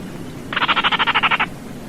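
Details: One clean burst of a Baillon's crake's dry, clicking rattle, a second of quick regular pulses standing out from faint background noise.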